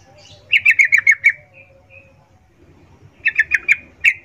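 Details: Calling female yellow-vented bulbul, voice of breeding arousal meant to attract males, 'ngecuplik' style: two quick runs of five or six sharp clipped chips separated by a short pause with soft background hum.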